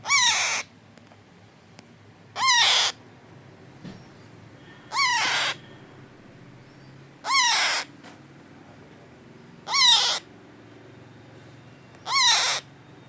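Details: A hand-fed parrot chick, 25 days old, begs with harsh, nasal arched squawks, each about half a second long, repeated roughly every two and a half seconds, six in all, over a faint room hum.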